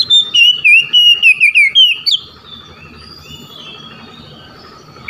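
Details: Oriental magpie-robin calling out to rivals: a two-second run of quick, repeated warbling whistles, then faint distant answering song and steady background hum.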